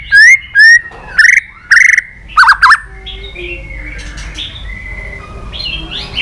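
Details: White-rumped shama in contest singing: several loud whistled and buzzy notes in the first three seconds, followed by softer, lower warbling phrases and distant notes.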